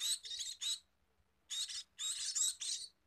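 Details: Scaly-breasted munia during feeding: three harsh, buzzy high chirps in a quick run, a pause of about a second, then a denser burst of rasping chirps running together.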